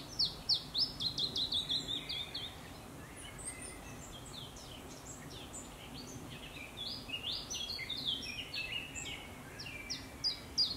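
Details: An Iberian chiffchaff sings in Zuid-Holland, Netherlands, 4 May 2022, opening with a fast string of high, slurred notes, followed by hiss and a jumble of fainter chirps from other birds, with a short closing phrase.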